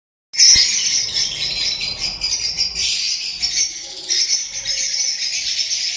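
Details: Lovebirds in a group, a dense, continuous wash of shrill, high-pitched chirps and squeaks with many birds calling at once and no pauses.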